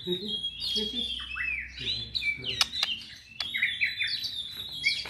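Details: A white-rumped shama of the blorok type sings a rich, varied run of whistles, sliding notes and sharp clicks. Low murmuring voices and a hum sit beneath the song during the first half.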